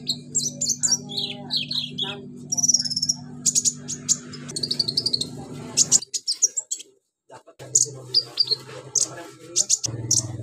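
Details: Konin bulbul pours out a dense mimicking song copying cililin, cricket, golden grasshopper and chick sounds: rapid high whistles, falling slurs and trilled bursts, a brief silent break, and a constant low hum.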